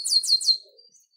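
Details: Chestnut-capped blackbird, the garibaldi or rinchão, giving three quick, high, downward-slurred notes in even succession, followed by a faint thin tail note; no other sounds.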